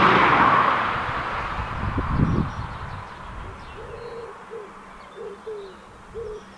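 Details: A Eurasian collared dove (Streptopelia decaocto) in the mating season gives soft, low, hollow coos in a short repeated phrase, after a loud rushing burst of wind-like noise at the start.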